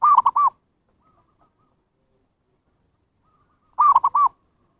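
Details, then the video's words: Zebra dove lure call to attract wild birds: a quick, rolling triple coo, with a second identical phrase coming almost four seconds later and near silence in between. "SUARA PIKAT PERKUTUT"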